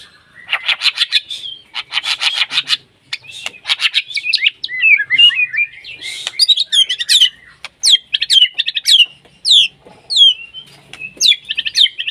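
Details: A white-rumped shama in breeding condition, full of learned material, singing at a rival: grating buzzy rattles give way to tumbling whistles and a series of sharp rising whistled notes repeated about once a second.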